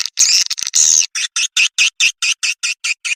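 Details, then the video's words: Swiftlet calling sound used to attract the birds: an opening burst of harsh high buzzing, followed by a steady series of short, evenly spaced chirps about five per second. "suara pemanggil burung walet"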